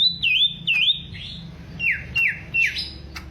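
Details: Caged greater green leafbird from Alas Purwo, Banyuwangi, Indonesia, tested for mental strength and fighting character: loud whistled notes sliding down then up, then a run of sharp descending whistles with short pauses between phrases; faint low hum beneath.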